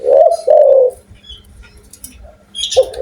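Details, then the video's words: Two full low coos from a loud-voiced Indonesian Spotted dove, then near silence and the start of another coo at the end, with brief high chirps of other birds. "tekukur gacor suara besar"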